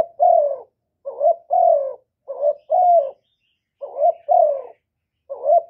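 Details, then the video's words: Spotted dove coos used to stimulate male doves, recorded directly without background noise: deep, hoarse double notes, a short lead-in followed by a longer descending coo, repeated at a brisk, fairly regular pace. "Cu gáy Hạp Bổi Gáy Gọi + Gù + Thúc + kèm kích bổi, chim cu đất gáy, cu cườm gáy, tiếng chim cu"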